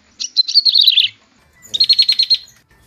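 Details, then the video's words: Bar-winged prinia gives two bursts of rapid, buzzy high chips, each under a second long, with a short pause between, used as a lure call to draw the bird in; nothing else is heard. "suara pikat dan pancingan prenjak tebu"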